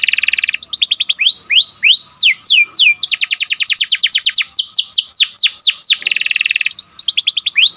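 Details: Sharp rolling canary song meant to train birds and prompt breeding canaries to sing: alternating buzzy trills and fast runs of swept whistles, with short gaps between phrases.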